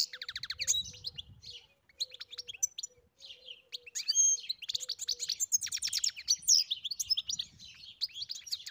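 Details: European goldfinch singing on a farm: an energetic, rambling stream of fast ladder-like chips, buzzy trills and bright whistles, accompanied by a steady faint low hum and brief rumbles.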